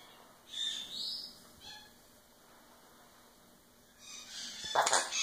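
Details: Skittles, a female sun conure in foster care in Northern California, speaks short mimicked words in a thin, raspy, high-pitched voice, perhaps "okay" or "blow kiss"; she also says "what".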